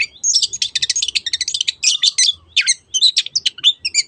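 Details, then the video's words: 'Teot teot' song of a long-tailed shrike, used to coax other birds into singing: a fast, rattling run of high clicking notes, then spaced, scratchy chirps and squeaks. "SUARA BURUNG CENDET TEOT TEOT"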